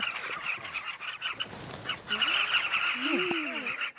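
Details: Southern carmine bee-eaters massed at their breeding colony along the Luangwa River; thick chatter of many overlapping calls, while low human voices speak in the foreground during the second half.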